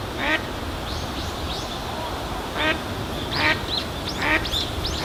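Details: Eastern spot-billed duck giving its ordinary contact call: harsh, nasal quacks in short bursts, about one per second, over steady background ambience with faint higher bird notes.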